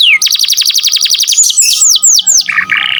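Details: Canary belting out song as a model for other songbirds: a very fast rolling trill of downslurred notes, several louder sweeping whistles, then a short buzzy phrase.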